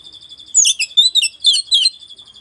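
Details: Oriental magpie-robin, West Javan type, in song that agitates rival magpie-robins; four fast bursts of shrill twittering notes over a steady high ringing tone.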